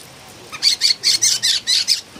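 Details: Noisy Philippine bulbul giving about eight evenly spaced, harsh rasping notes in quick succession, loud against a quiet background.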